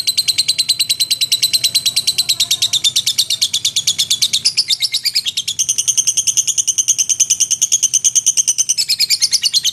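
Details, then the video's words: Long ngekek chatter from a lovebird in full song: a relentless machine-gun series of shrill, piercing notes lasting nearly ten seconds, shifting briefly higher midway and again near the close without ever pausing. "SUARA BURUNG LOVEBIRD GACOR NGEKEK & TELER"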